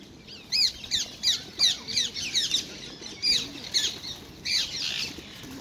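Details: Wild ringneck parakeets at a busy feeding spot in Hyde Park, London, where they snatch apples from one another; harsh, screechy descending calls in a rapid irregular series, about a dozen, over faint low park background.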